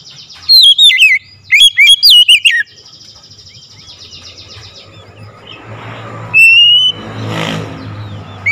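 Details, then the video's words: Oriental magpie-robin calling loudly, with two quick bursts of sliding whistled notes at the start, then a long stretch of traffic rumble and a single rising whistle amid passing vehicle noise. "KACER MEMANGGIL SUARA LANTANG KERAS"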